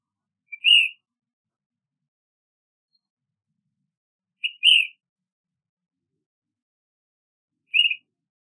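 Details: Ash-throated Flycatcher giving a burry, slightly rough whistled call, each preceded by a brief pickup note, repeated three times about every three and a half seconds against a silent background.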